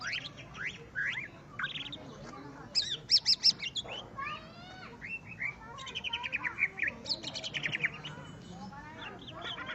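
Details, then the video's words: Greater green leafbird in song against a rival opponent: dense, varied whistled phrases with quick upward slurs, fast trilled bursts and rapid chattering runs, with overlapping notes suggesting more than one bird singing. "cucak ijo Akhirnya dapat LAWAN tempur.."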